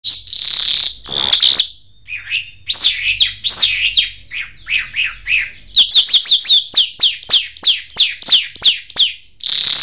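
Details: Jal bird singing in the mashadi style, a full song: loud, high whistled and sweeping notes, opening with a long trill, then a fast run of rapid downslurred chirps, about three per second, with a faint low hum beneath.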